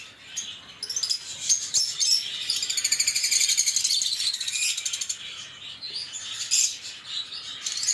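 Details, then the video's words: Lovebird chirping: high, scratchy twitters building into a rapid run of regular, buzzy notes, roughly four per second, around the middle, then softer scattered chirps and a louder burst near the end. "LoveBird Singing & Chirping Sounds"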